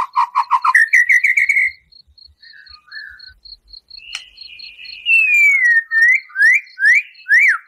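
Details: Chatty white-rumped shama song with rough shot notes for provoking a captive bird: a fast pulsing low trill, a rising run of notes, a quiet spell with high ticking, then long sliding whistles and sharp rising upsweeps.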